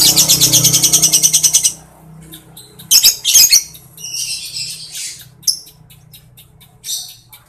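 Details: Lovebird opening with a fast, rattling ngekek trill of evenly spaced shrill pulses for nearly two seconds, then scattered harsh chips and squeaky notes over a low hum.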